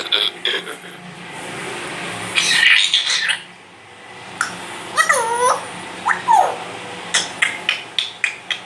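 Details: Grey parrot mimicking words and coughing: a harsh, noisy burst near the start, then two clear whistled tones that swoop down and back up, followed by a run of sharp, evenly spaced clicks and short chirps.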